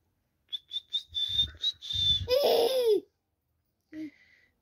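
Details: Indian ringneck parakeet vocalizing indoors: a few short high whistled notes, then a harsh, buzzy, drawn-out rasp lasting about a second, followed by a brief nasal note. A person repeatedly says a word nearby.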